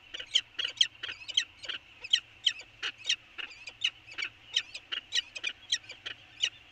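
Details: Peregrine falcons on Anacapa in an early-morning exchange on 24 January 2020, giving harsh, clipped notes repeated about three times per second in a steady chattering series against a quiet background.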